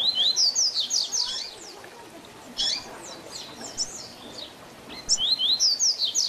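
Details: Tui Tui Zel Zel song from a double-collared seedeater, used to tutor other birds: an opening volley of bright rising and falling whistles, a softer middle stretch of faint high notes, then another brisk whistled burst.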